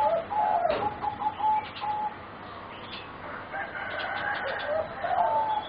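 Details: Several young zebra doves from a bred competition singing line, about 3.5 to 4 months old, produce short level whistled coos and burbling rolls, separated by a quieter gap midway, with faint clicks.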